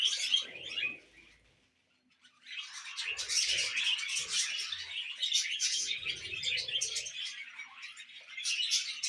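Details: Tame baby budgerigar during spoon-feeding, bursts of high squeaky chattering chirps, a short quiet pause early on, then lively continuous chatter with faint handling sounds below.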